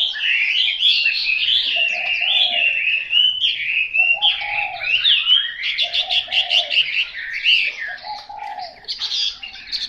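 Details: Rich, varied whistled song of a Chinese hwamei in rolling phrases, with a second, lower-pitched bird giving short repeated cooing notes about every two seconds in the background.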